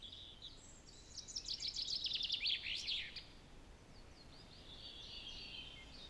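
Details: In southern Finland in early morning, 2023, a Common Chaffinch (Fringilla coelebs) gives one bright two-second song, a quickening run of high notes ending in a flourish; a fainter bird calls afterward under steady background hiss.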